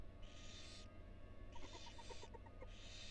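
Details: Barn owl female and four tiny nestlings in a University of Florida nest box. Three long hissing bursts are heard, the middle one accompanied by a fast series of soft ticking notes.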